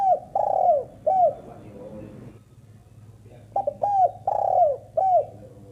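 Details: Female spotted dove cooing in two phrases of three or four notes: low mellow hoots, each with a drawn-out note bending downward, separated by a short pause with a faint murmur in the background.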